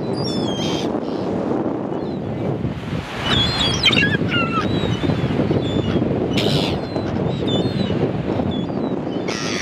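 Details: Gulls calling over a loud, steady background of low rumbling noise, perhaps water or a boat; short harsh cries and brief rising squeals come in scattered bursts, with several sharp calls clustered around the middle.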